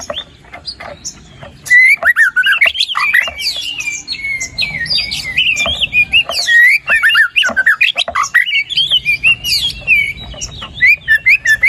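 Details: White-rumped shama song meant to make a quiet bird sing: after a faint start, long rapid stream of whistled slurs, chatter and trills with scarcely a pause.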